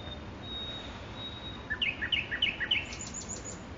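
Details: Nightingale song recorded in Makui park: after a thin drawn-out high whistle, a fast series of paired chip notes, each a higher note followed by a lower one, ends in a few faint very high bursts.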